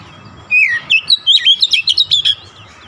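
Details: Oriental magpie-robin (kacer), stressed, pouring out a dense phrase of about a dozen quick twisting whistles and chips over faint low background hum.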